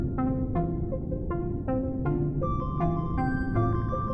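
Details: Electronic music with repeated plucked, bell-like tones over a steady low rumble; no animal voices stand out.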